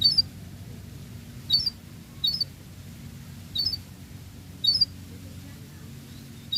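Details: Lively canary, used to prompt other canaries into song: short sharp high chirps repeated about every second, separated by silence, over a steady low hum.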